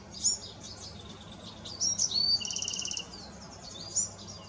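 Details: A Bewick's wren in California sings a high, complex phrase of sharp chips and whistles with a fast buzzy trill in the middle, against quiet background noise.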